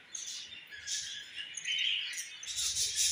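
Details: Mother budgerigar feeding a chick; raspy, high-pitched chirping runs on without pause, with a clearer whistled note near the middle and a louder buzzy burst at the end.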